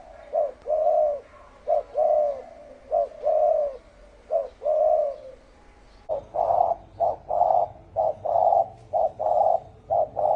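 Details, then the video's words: Spotted dove giving 'thổ ồm' deep cooing to provoke field doves: paired short and long low coos, switching midway to a louder, faster, tightly packed run of notes. "Tiếng chim cu gáy thổ ồm kích thổ đồng siêu tốc lên cực nhanh cực hay"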